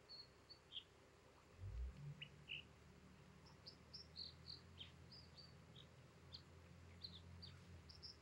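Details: American dipper on the Sunshine Coast, British Columbia, giving short, high chirps and whistled notes at varied pitches, scattered through the clip over a steady low rush of stream water.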